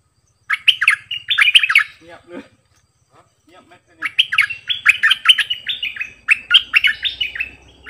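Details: Decoy bulbul with a varied multi-song repertoire: a quick phrase of slurred chirping whistles, a gap holding faint low murmurs, then a longer, energetic stream of bright bouncing notes that runs to the end.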